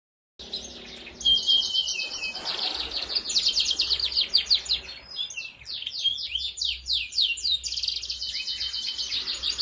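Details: Young canary, four months old, recorded on Wednesday 11 August 2021, singing a lure song meant to spur other canaries to sing: long, dense runs of high, rapid trills and chattering notes with only brief pauses.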